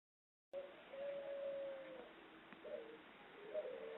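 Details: Female ringneck dove of the pelung type from an Indonesian breeder, giving a long drawn-out call: a low, smooth, sustained coo, then shorter rounded coo notes, recorded quietly.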